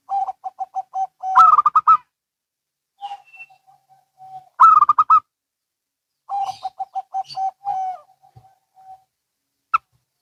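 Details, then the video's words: Local and Bangkok zebra doves calling in reply. Rows of quick, even coos lead into loud rolling bursts, repeated three times, with softer trailing notes between them. "Perkutut Lokal & Bangkok Bunyi Saling Bersahutan"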